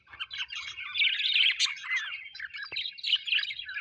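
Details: Happy pet budgerigars chirping: continuous warbling chatter mixed with scratchy notes and quick chirps, with one sharp click near the end.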